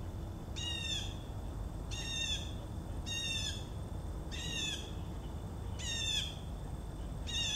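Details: Blue jays call in the background near Joe Pye weed on 4 September 2014. Loud, buzzy, harmonic jay notes repeat about every second, each dropping slightly in pitch, with a constant low rumble underneath.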